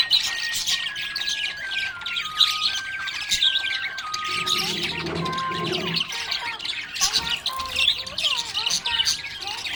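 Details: Budgerigar in a happy mood keeps up busy scratchy chirping and warbles, while a stepping melodic tune plays behind it and a low murmur swells midway.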